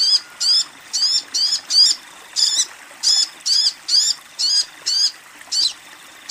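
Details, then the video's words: Female sunbird calling to attract a male, giving short, high, sharp chirps repeated about twice a second in a steady series, with only faint background hiss. "Sogon BETINA Memanggil Sogon JANTAN"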